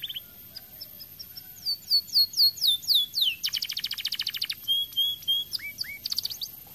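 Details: Canary song with a series of bright downward-slurred whistles about three per second, followed by a dense rapid trill, then short clear notes and paired upslurred chirps.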